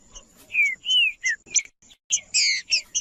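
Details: Green-winged saltator in territorial macheando song. Two clear slurred whistles, one rising and falling, are followed by a few short notes and then a cluster of loud, harsh, buzzy chirps. A faint continuous high-pitched tone sits in the background.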